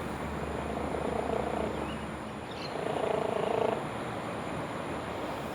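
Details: Grey crowned crane at Seletar, Singapore, believed the only one left in the wild there, giving a low, rapid purring call in two bursts, each about a second long, over steady background hum.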